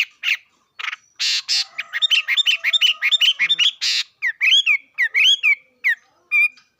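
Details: Bird song: a run of bright, varied whistled notes, some harsh buzzy bursts, then clear upward and downward slurred phrases repeated in quick succession; no other sounds.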